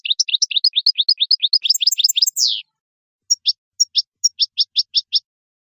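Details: Goldfinch singing to tutor young goldfinches: rapid twittering notes rising into a dense trill ending in a buzzy downslurred note, then after a pause spaced sharp high double chirps.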